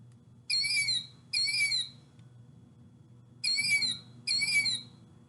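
A Killdeer gives four shrill, wavering calls in two pairs, each about half a second long, over a faint low hum.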